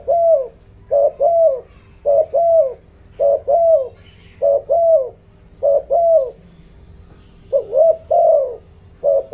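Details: Lure spotted dove urging wild doves with a bronze-style pressing coo: some eight low double coos in a brisk steady run, each pair a clipped note and a longer falling hoot, roughly a second apart.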